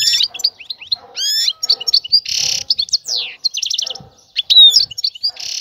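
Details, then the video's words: Ready for mating, a female European goldfinch calls the male to attract and excite him toward pairing and nest building; varied fast twitters, buzzy notes, rapid trills and a clear whistled tone, loud and continuous. "أنثى الحسون جاهزة, تبحث عن الذكر للتزاوج"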